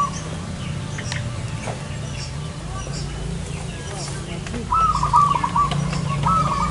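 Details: Zebra dove heard during a bird-luring session in front of a house, giving a stuttering series of soft, trilled coos that runs for about two seconds near the end, with faint background noise.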